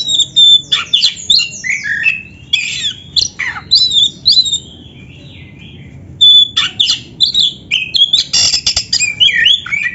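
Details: Oriental magpie-robin, black-breasted type, a singing bird played to stimulate caged birds to sing and fan their tails: loud varied whistles, sweeping slurred notes and harsh squawky phrases in bursts, with a short quiet gap midway.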